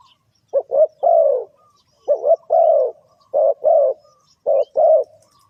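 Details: Spotted dove call used to draw birds into a trap: rhythmic phrases of two quick clipped coos and a drawn-out, slightly falling croo, repeated roughly every second and a half.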